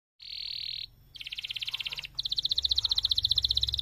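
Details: Canary in full, long-running song, used as training song to prompt other canaries: a steady high buzzy tone, a brief pause, then rapid pulsed trills that grow louder and faster, ending in a bright, dense, even roll.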